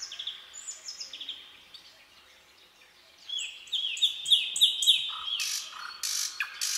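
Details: A forest nightingale singing after dark, starting with faint high whistles, then a loud phrase of piping notes on one pitch, ending with harsh, buzzy bursts and a few low whistles.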